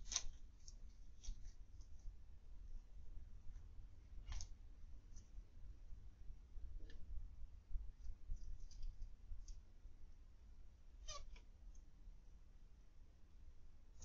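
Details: Captive zebra finches in an aviary on 21 October 2020 (PM) give scattered short, clipped nasal beeps, spaced several seconds apart, against a quiet indoor background with low hum.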